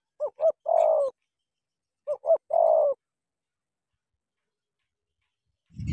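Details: Spotted dove from Cà Mau, Vietnam, cooing twice about two seconds apart, each phrase two quick short notes then a drawn-out purring note; a dull thump near the end.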